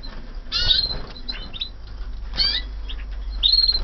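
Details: In a flight aviary, 2014 canaries sing short bursts of high whistled and trilled notes, three main phrases a second apart, with faint chirps and steady low hum beneath.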